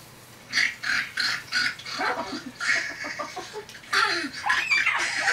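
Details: Pet female Severe macaw playing on the back of a couch, prompted by a woman to show how piggies eat. She answers with a run of raspy, nasal squawks and snorting grunt-like sounds, and the woman's voice is heard before.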